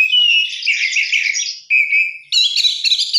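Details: Oriental magpie-robin singing a short burst of rich isian song: a warbling chatter, then a level sustained whistle, then a higher scratchy trill, loud and clear.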